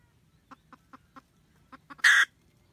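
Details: Red junglefowl hen at her nest calling the male, recorded 2020-2021: six soft, spaced clucks, then a sudden loud, harsh cackle burst at the end.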